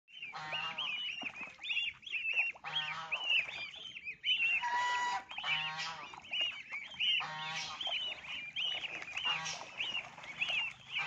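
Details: Lionhead swan geese (Anser cygnoides) kept as breeding stock in Hau Giang, Vietnam, honk loudly in overlapping, nasal, trumpeting bursts.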